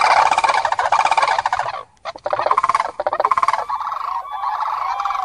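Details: Common crane calling: loud rolling, trumpeting notes for almost two seconds, a short pause, then further pulsed, throaty calls that settle into a steadier, lower drawn-out note.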